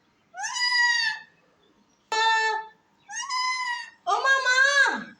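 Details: A pet parrot talking face to face with its owner gives four separate voice-like utterances, each a rich, harmonic, slightly wavering tone lasting about half a second to a second, with short silences between.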